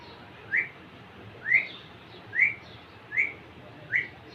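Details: Young male Indian ringneck parakeet courting a female: five short whistled chirps that rise sharply, spaced roughly a second apart, over a faint steady background hiss.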